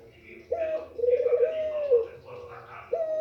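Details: Female white Barbary dove calling to excite males: a brief low coo, then a longer drawn-out coo of about a second, a softer trailing note, and the start of another coo near the end.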